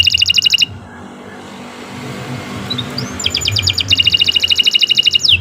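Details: Canary song for training birds: a rapid high trill, a quiet gap with faint slurred notes, then a long run of fast, evenly repeated trilled notes, with low background rumble.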